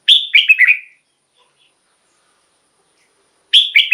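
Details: Caged-bird rousing song of a red-whiskered bulbul: a quick phrase of four bright, slurred whistled notes, then three seconds of silence before the phrase begins again.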